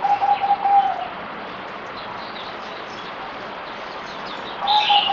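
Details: Fourth-day-of-deworming merbok, the zebra dove, recorded 17 April 2020: a quick rattling run of low even coos, a lull of hiss, then the coo series resumes alongside a sharp high chirp.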